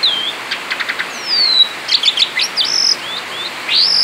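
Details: Male Asian pied starling singing outside its cage, continuous 'ngerol' style: a few sharp ticking notes, then a long descending whistle, a burst of chattery high notes and a final rising, slurred whistle.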